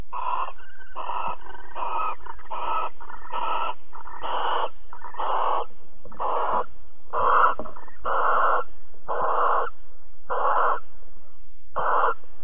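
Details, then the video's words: Barn owls at Alphen mating and cuddling, 22 April 2020, 21:37: a long series of about thirteen rasping hissing screeches, fairly evenly paced roughly every second, loud and steady. "Kerkuil Alphen 2020 04 22 Paring en Kroelen 21 37"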